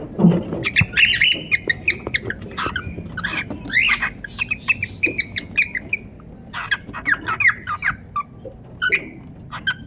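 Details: Cockatiels, a newly acquired pair kept as pets, trade rapid chirps and short squawks in uneven clusters, with brief pauses between bursts and faint background rumble.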